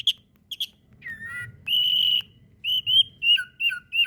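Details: White-rumped shama (murai batu), fighter-style song used as masteran tutor material: sparse clear whistles, short chirps and a sustained level whistle, then a string of brief rising whistled notes, over a faint low hum.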